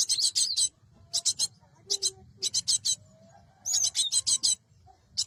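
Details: Cinereous tit call played as a trapping lure: rapid groups of grating, high-pitched buzzes in bursts of three to six notes, broken by pauses with faint low whistles.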